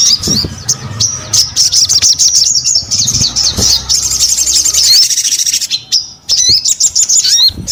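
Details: Energetic sogon song of fast high chirps and sharp upswept whistles in dense runs, broken by short pauses and a brief gap near the end.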